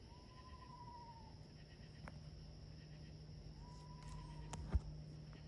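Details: A screech owl in the woods gives two steady, mid-pitched whistled notes, each about a second long and a few seconds apart, over a low hum and a faint high insect drone.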